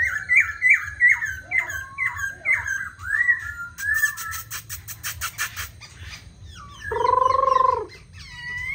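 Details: Black laughingthrush, a tame cage bird singing and dancing on a table, gives a run of repeated rising-falling whistled notes, then rattling clicks and a loud drawn-out nasal harmonic call near the end.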